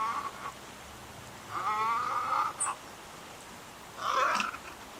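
Harsh, gargling croaks from Little Egrets in a squabble, in three rough bursts over five seconds against a quiet background hiss.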